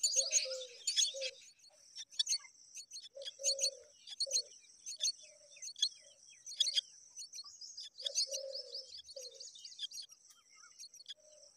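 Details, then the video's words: Myna babies being fed again and again by a parent: bursts of high, scratchy, rapid chirps in clusters, with short low hum-like notes recurring between the bursts. "Myna bird repeatedly feeding babies"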